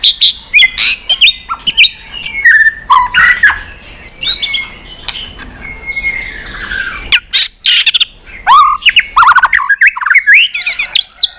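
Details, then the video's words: Caged white-rumped shama in competitive fighting song, tail-flicking and excited: a loud, rapid string of varied whistles, slurred rising and falling notes and sharp clicks, with many forest-style phrases. "chòe lửa tạch đập đuôi kích lửa hót đấu căng lửa.luyện chòe lửa hót nhiều giọng rừng dài"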